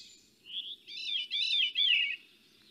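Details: Veery song, a species of eastern forests, likened to calling down a tube; breezy, downward-spiralling flute-like phrases that echo as they descend, sung in two to three connected bursts.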